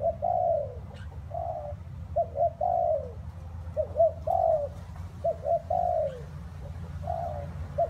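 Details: Spotted dove cooing steadily in rainy, windy conditions. Repeated phrases of two short low coos and a longer falling coo, several in a row, against a constant low rumble.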